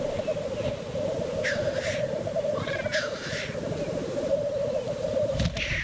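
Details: Black grouse display at the lek: a rolling, murmuring bubbling chorus carries on throughout, broken by three harsh, breathy hisses and a brief short rising note.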